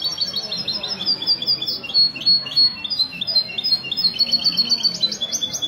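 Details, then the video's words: European goldfinch ('misto') singing at a goldfinch association gathering in a Ksar el-Kebir café on 16 February 2020; a steady stream of sharp, high tinkling notes and buzzy trills, with low voices in the background. "تغريد الميستو من جمعية لكوس للحسون الدهبي"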